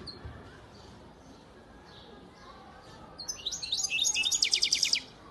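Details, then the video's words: From Antalya, Turkey, a 2019 young goldfinch gives scattered faint high notes, then bursts into a loud, fast, rhythmic rattle of sharp chirps repeated several times a second for nearly two seconds. "Saka kuşu ötüm"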